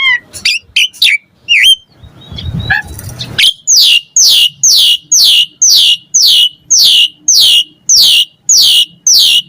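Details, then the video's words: Asian pied starling in a pancingan recording: scattered whistles and a brief noisy rasp, followed by regular squeaky downslurred notes repeated almost twice a second. "Pancingan Jalak Suren Gacor Mompa Variasi Mewah / Masteran Suara Burung Jalak Agar Gacor Full Isian"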